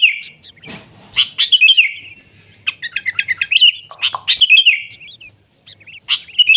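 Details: Sooty-headed bulbul in energetic wild song; mixed bright chirps and jumbled twittering runs, with a brief harsh rustling noise near the start and short gaps between bursts.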